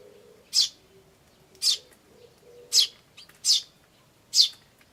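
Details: Tree sparrow chicks chirping "chi chi" beside adults calling "chun", spring 2013: five short bright high chirps at uneven intervals, with a faint low hum underneath.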